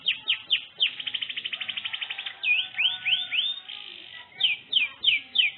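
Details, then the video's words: Pet canary singing a lure song meant to prompt another canary to answer: bright slurred whistles, then a fast run of about twenty evenly repeated notes, followed by rising swept whistles and descending chirps. "PANCING burung kenari pasti AUTO langsung nyaut"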